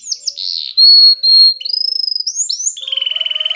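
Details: Spanish Timbrado canary training song: sliding whistled notes, two loud pure held tones, rising slurs, then a rapid pulsing trill dropping slightly lower.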